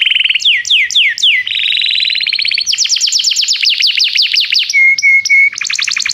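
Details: Canary singing to draw a companion into song, as training material: swooping downslurs, a level buzzy trill, rapid high repeated strokes, three flat whistled notes, then a fast pulsed finish.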